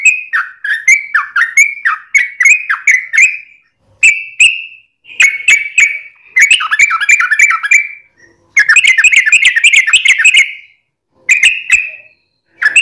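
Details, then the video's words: Yellow-vented bulbul singing hard, a lure meant to make other bulbuls respond: descending whistled notes in series, then a clear short whistle, followed by dense bubbling chatter and a last short phrase after a pause. "SUARA trucukan gacor ROPEL PANJANG pancingan trucukan agar bunyi JADIKAN burung trucuk gacor NYAUT"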